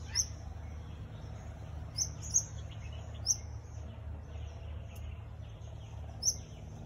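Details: Elegant parrot calling: sharp, very high, thin chips given singly at uneven gaps, about five in seven seconds, with a few fainter notes between, over a steady low background rumble.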